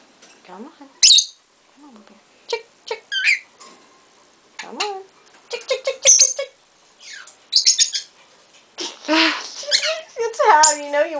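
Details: Pet lutino peach-faced lovebirds indoors, a young female on a person's shoulder answering a younger bird: sharp chirps, squeaks and short warbled talking-like phrases in scattered bursts, with a person's coaxing voice in between.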